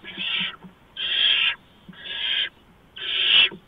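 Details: At a barn owl nest on 6 March 2015, 4:26 AM, during a mouse delivery, four long breathy screeches sound in under four seconds, each a harsh hiss lasting about half a second with brief pauses between.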